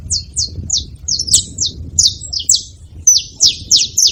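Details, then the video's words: Saffron finch at a feeding spot, singing a fast series of sharp, downslurred, high chirps in quick bursts, with a faint low rumble beneath. "Canário da terra fazendo barulho na seva"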